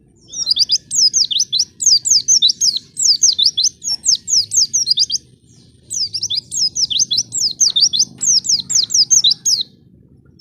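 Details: White-eye song used as a lure to get other white-eyes singing: long runs of rapid, high, twittering notes, each short phrase repeated many times, with one brief pause midway and a quiet end.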